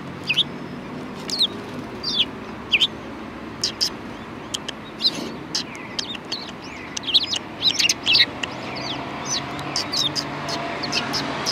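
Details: Several sparrows at a Tenmangu shrine in Japan, 4 March 2020: scattered sharp, high chirps in quick irregular bursts over about eleven seconds, some overlapping, above a steady low outdoor hum.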